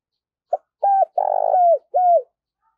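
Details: Spotted dove kept as a decoy bird, cooing to call in new wild doves: a brief opening note, then a mid-pitched coo, a longer purring coo and a final falling coo, all clean against silence.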